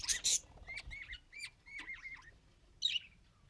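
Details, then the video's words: Pet budgerigar trying to talk, giving a harsh burst and then a row of short, wavering whistled notes with bent pitch, ending in one scratchy chirp. "Budgie Tries to Talk… and Fails Adorably"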